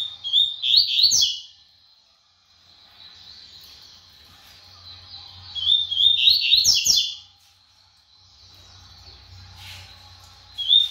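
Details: Rapid song of a brown-plumaged double-collared seedeater. Two bursts of fast, warbled high notes come about six seconds apart, joined by a thin, steady trill, with a brief further phrase at the close.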